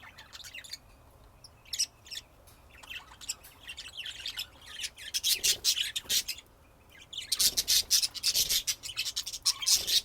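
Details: Dense budgerigar warbling of rapid chirps, clicks and raspy notes, growing busier and louder in the second half.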